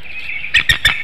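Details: Female bald eagle incubating eggs on a nest watched by webcam in Hanover, Pennsylvania, at 6:38 AM on 25 March 2019, calling for her mate to come relieve her for a nest changeover; a thin, high tone, then four sharp piping chirps in quick succession.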